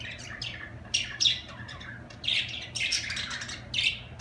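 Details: Budgerigar chatter mixes harsh squawks with buzzy, wavering warble phrases, growing busier and louder in the second half.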